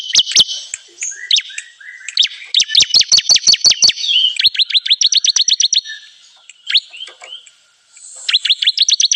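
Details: Lure recording of a bar-winged prinia used for bird trapping: bursts of rapid, high, clicking chirps in quick trains, broken by short gaps and softer buzzy notes, with a final run after a brief silence.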